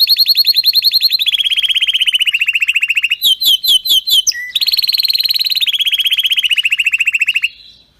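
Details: Canary singing a powerful, error-free training song: long rapid rolling trills of high notes, broken by a short burst of quick descending sweeps, then another fast trill that fades out at the end.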